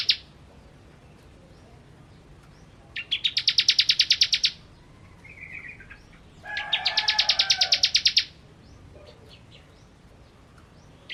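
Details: Ciblek, the bar-winged prinia, in vigorous song: two dense bursts of fast, evenly spaced high ticking notes, each lasting over a second, with a lower humming tone beneath the second burst and quiet gaps between.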